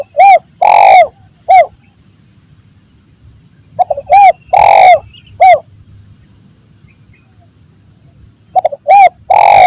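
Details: Spotted dove lure call for trapping in forest, style known as lambung Kuk 1 Mersik: low hollow cooing phrases of short notes, arched coos and one long drawn note, repeated three times, over a steady high electronic whine.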